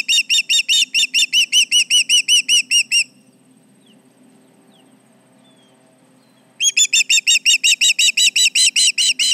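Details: With intruders around the Charlo osprey nest, late morning of July 29, 2019, an osprey gives rapid runs of piercing, slightly rising whistled notes, about fourteen, then a pause, then a dozen more, over a faint constant hum.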